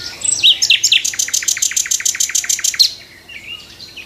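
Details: Nightingale singing from a tree in the morning: a few sharp, varied high notes, then a fast, even run of about fourteen clipped repeated notes lasting some two seconds, stopping abruptly, followed by faint twittering in a quiet background.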